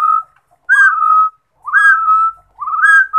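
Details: Rufous-throated partridge song, three loud whistled phrases spaced about a second apart, each opening with a quick upslurred note and trailing into a steady mellow tone; quiet background.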